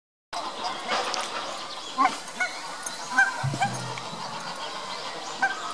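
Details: Lesser white-fronted goose at Tama Zoo, Japan, 24 November 2015, with northern pintails: a few brief, high yelping notes spaced a second or so apart, over a steady hiss of background noise and a low buzz.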